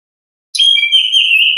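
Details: Single long, level whistle from an orange-headed thrush in ngeplong style, held for about a second after brief silence.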